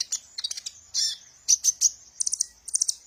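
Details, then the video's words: Sunbird known locally as kolibri ninja, its song played to train and stimulate other birds: quick clusters of thin, high chirps and sharp twittering bursts, bright and hurried. "suara burung Kolibri ninja"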